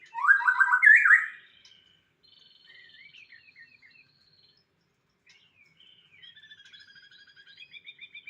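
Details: White-rumped shama song: a loud burst of rapid repeated notes near the start, then softer varied whistled and chattering phrases, with faint trilled notes toward the end.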